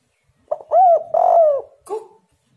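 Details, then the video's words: Spotted dove lure call for prompting other doves to answer; one clear phrase of a brief note, two long mellow coos, then a short lower closing coo. "derkuku super gacor bikin lawan langsung nyaut"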